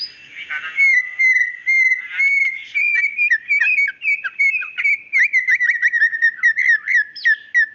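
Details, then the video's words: Calling female white-rumped shama: a sustained clear whistle held almost level, broken by rhythmic high chips and short flicked notes that repeat about twice a second. No background noise. "suara murai batu gacor tembakan tajam"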